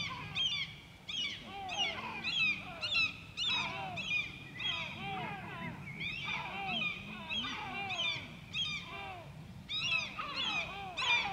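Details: White-tailed eagles at Grönvik, Ornö, on 16 July 2024 give high, yelping, chirping calls in quick overlapping bursts, roughly two a second, over a faint low rumble.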